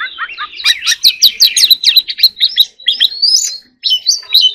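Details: A white-rumped shama in full competition song pours out a fast series of sharp down-slurred notes and trills, easing into longer whistled phrases with a brief gap near the end.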